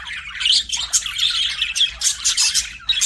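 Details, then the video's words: Budgerigar chirping and squawking in quick bursts, harsh buzzy notes mixed with thin whistles, packed closely together in an unbroken high chatter. "BUDGIE CHIRPING SOUNDS"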